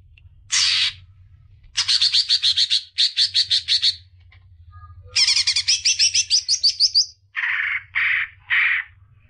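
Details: Greater green leafbird song used to stimulate young birds: rapid chattering trills of sharp repeated notes, a rising fast series, then three buzzy rasping notes; low hum underneath.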